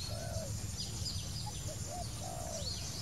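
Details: A wild spotted dove's mellow coo: a long, slightly descending note, then short hoots building to another long coo. Scattered high chirps and low background noise accompany it.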